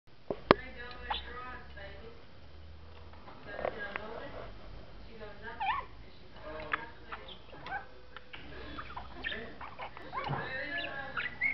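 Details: A pet budgerigar whose talking is getting clearer chatters in a rapid, speech-like warble mixed with sharp chirps and clicks.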